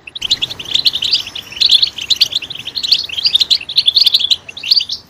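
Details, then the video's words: European goldfinch singing in a loud voice, meant to stimulate other goldfinches: fast, liquid twittering in dense bursts of high, jangling notes separated by short gaps, with faint background hiss. "Stimulating a goldfinch clip to make it chirp in a loud and wonderful voice"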